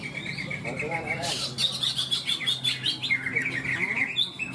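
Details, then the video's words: Greater green leafbirds (cucak ijo) singing at a bird-song competition in Malinau, North Kalimantan, Indonesia; bright, rapid chirps and trills with buzzy bursts, and a brief burst of human speech. "Lomba burung Cucak ijo"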